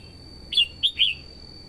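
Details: Female red-whiskered bulbul singing to provoke males and draw in wild birds: three clear, loud whistled notes, the middle one clipped short, the last slurring downward.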